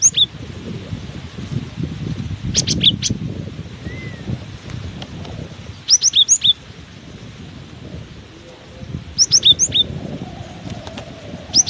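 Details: In strong wind a cinereous tit sings repeated short phrases of three or four high, clear alternating notes, roughly every three seconds, against heavy low wind rumble.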